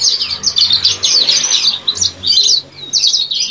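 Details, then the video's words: Lively song of a yellow-fronted canary: loud, fast, tumbling high-pitched warbles and twitters running almost without pause, briefly dropping then resuming with sharp sweeping notes. "Suara burung sanger gacor"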